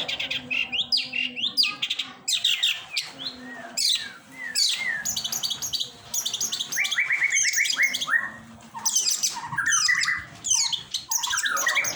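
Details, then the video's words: Long-tailed shrike singing a varied, chattering sequence: clusters of high chirps, short scratchy notes and repeated downslurred whistles, with a few brief gaps between phrases and a faint low hum behind. "suara burung pentet"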